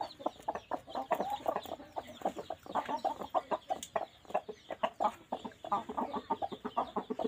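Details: Two laying hens in their nest make a dense run of low, throaty clucks, closely spaced and continuous throughout.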